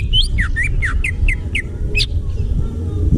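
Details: Greater green leafbird singing in wild forest: a rapid run of bright slurred whistles, falling and rising notes repeated about every quarter second, then a sharp high note, over steady low rumbling background noise.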